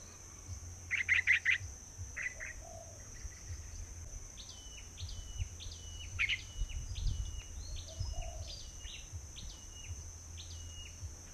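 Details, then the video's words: White bulbul calls at a trapping site early in the season, with many birds arriving: a quick burst of bright chirps, then a run of short, sharp, downward-hooked notes in an uneven series, over a steady high whine and low rumble. "bẫy chim hoành hoạch trắng"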